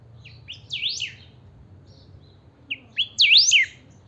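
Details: Caged saffron finch, known locally as chiviro, singing strongly: sharp high swooping V-shaped notes with short chirps before them, in two bursts about two seconds apart, over a quiet low hum.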